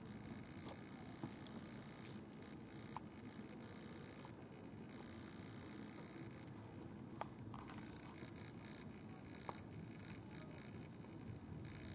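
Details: Steady low hiss and rumble of indoor noise with faint ticks and rustles, no animal voice.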